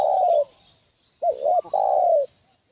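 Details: Close spotted dove giving a decoy coo to lure wild doves: a long falling coo, a pause, then a double looped note and another drawn-out descending coo.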